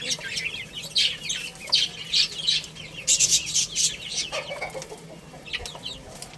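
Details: Baby chickens playing and eating, a brood of chicks giving bright, high, downward-slurred peeps in quick, overlapping bursts with short pauses between clusters.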